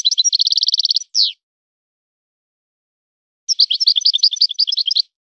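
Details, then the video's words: European goldfinch song in a breeder's style. A fast, even trill of high chirps ends in a downslurred note, then after a pause comes a varied, jangling twitter. Nothing else is heard. "طائر من طيور لي تاتغرد على نمط طيور سي حسن الكلوب ولد الغابة"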